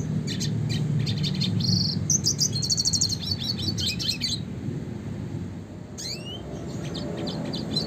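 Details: Red siskin, classic type, singing fast rolling phrases meant for tutoring songbirds: a dense burst of high chirps and buzzy trills for four seconds, a gap, then a single upward-sweeping whistle, all over low background hum.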